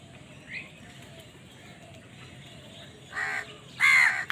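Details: Crows fighting for food; after a near-silent stretch, two raspy caws come close together at the end, the second louder and slightly downslurred.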